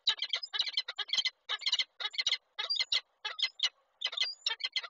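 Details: At Koszalin, Poland, 8 March 2023: a male peregrine falcon brings a gift, the female declines it and leaves. Grating, scratchy call notes in quick clustered runs of four or five, with brief gaps between runs.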